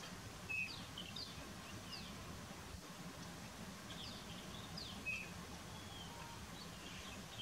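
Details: In fog, a rufous-tailed lark gives two short, high, clipped call notes roughly four and a half seconds apart, with faint, thin, descending notes scattered in between and a constant low background rumble.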